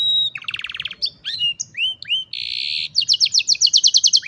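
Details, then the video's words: Young canaries trained to sing, cellphone recording: a buzzy rattling trill, a few rising whistled slurs, a sustained harsh buzz, then a fast regular run of sharp repeated notes about a dozen strong. "Mejor Entrenamiento Para Jóvenes Canarios | Canary Singing"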